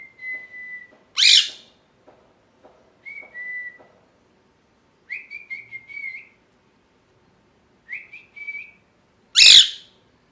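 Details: Pet parrot, molting and missing feathers, calling at home: short clear whistled notes, some flat and some warbled upward, broken by two loud harsh rasping screeches, near the start and the end, with faint soft ticking between calls.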